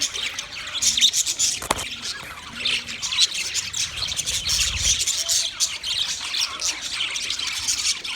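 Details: White male budgerigars chirping while mating: dense, continuous high chattering and squeaky warbles with short rasping notes, several birds overlapping, a few low thumps.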